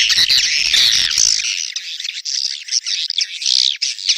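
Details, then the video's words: Swiftlet mating call, birahi beranak style: a rapid stream of high, buzzy squeaks and twitters at about two per second, with a low rumble in the first second that then drops out, leaving clean bird calls. "SUARA WALET BirahiBeranak | the sound of swallow lust"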